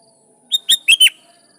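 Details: A single brisk phrase of four clear, bright notes from a sooty-headed bulbul, sung to lure and call rival bulbuls, the final notes bending downward.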